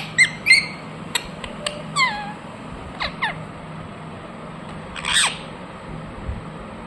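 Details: Ringneck parrot calling sporadically: a few short, rasping squawks and sharp clicks spread over several seconds, with one longer, noisier screech near the end and quiet gaps between.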